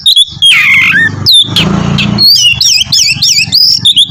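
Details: Oriental magpie-robin, a vigorous songster used to prompt another to sing: whistled phrases and a brief harsh burst, then a rapid run of bright, twisting whistles over low background rumble.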